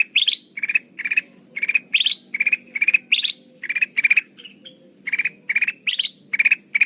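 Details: Sooty-headed bulbul used to lure birds for trapping: repeated rasping bursts of quick pulses, some sweeping upward, about one and a half per second, one brief soft whistled note midway; steady faint hum.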